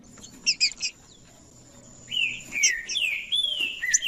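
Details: Green-winged saltator song played to warm up a quiet bird of the same species. Three short sharp notes open, then after a pause come rich slurred whistles, rising and falling in a flowing phrase over a faint high hum.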